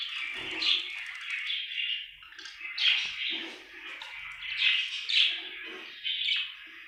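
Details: A happy budgerigar chirping: a continuous, scratchy warble of rapid, buzzy chatter with brighter squeaky notes near one, three, five and six seconds, and faint low rustling underneath.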